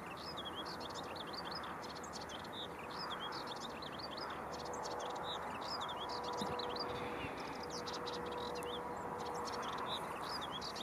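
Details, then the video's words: Hurried, babbling song from a melodious warbler at Ellecom in the Netherlands, 10 June 2015, with rapid chirps and upslurred notes tumbling without pause against a constant low background hum. "Orpheusspotvogel - Hippolais polyglotta - Melodious Warbler"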